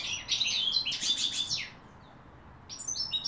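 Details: Singing goldfinch from 2016 gives a quick burst of high chattering twitters, falls silent for about a second, then resumes with a few sharp tinkling notes.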